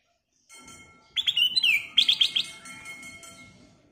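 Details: Black-crested bulbul in full prompting song: a bright, clear whistle slides downward, then a fast string of four or five ringing, bubbly notes. A faint steady tone runs underneath.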